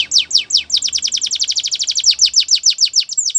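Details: A Russian canary sings a training song: a fast, bright trill of sharply falling notes, about eight per second, ending on a longer sweeping note.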